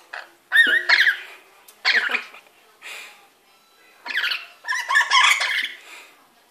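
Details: Pet lory bathing and playing in a sink in a wet cloth, giving harsh, buzzy chattering bursts in several separate phrases with short pauses between them, indoors in a small room.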